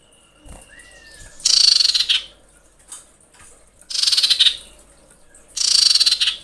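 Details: Three harsh, grating pulsed rattles about two seconds apart come from a female common iora in breeding condition calling males. A thin level whistle and a short rising note precede them.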